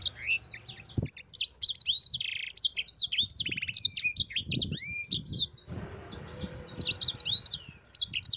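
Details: High, rapid warbling by a yellow-fronted canary in the long rolling 'ngerol' style, used as masteran for other birds: varied chirps and sweeping whistles, one sharp knock near the start, low hum behind.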